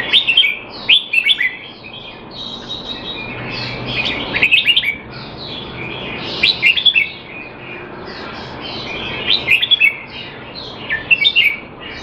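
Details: Red-whiskered bulbul, a caged bird in Singapore being trained to keep sharp though out of form, 25 December 2020; bubbly warbling phrases repeat in bursts roughly every three seconds over hiss.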